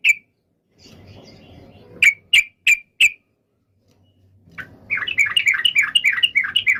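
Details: Yellow-vented bulbul sounding five sharp, evenly spaced chirps, a pause, then a fast bouncing run of bubbly warbled notes; low background hum throughout.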